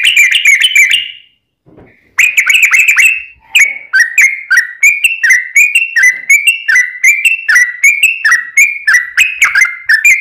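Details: Yellow-vented bulbul in strong, long-running song meant to set other bulbuls singing: a gurgled opening phrase, short gap, then a continuous chain of quick, bouncing, liquid two-note figures repeated for several seconds.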